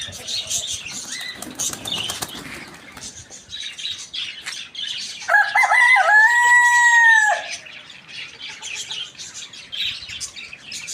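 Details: Rooster among hens eating outside in the morning gives one loud, drawn-out harmonic crow of about two seconds, rising then holding and falling away at the end; busy chirping of small birds and rustling fill the background throughout.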